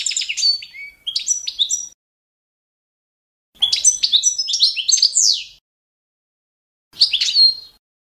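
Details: European goldfinch of the Balkan form, Carduelis carduelis balcanica, singing a competition-standard song used for training: three bursts of rapid twittering and tinkling notes with buzzy trills, separated by clean silences, no other sounds.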